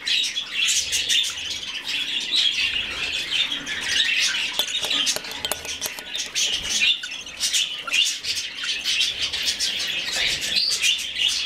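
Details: A rescued budgerigar chick, hand-fed, keeps up a long stream of shrill, rasping chirps, near continuous, with brief clicks and small rustles as feeding goes on.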